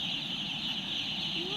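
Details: A flock of ducks in Vellore, being taken home, gives a dense, continuous wall of harsh, overlapping quacking chatter, with a faint rising tone near the end.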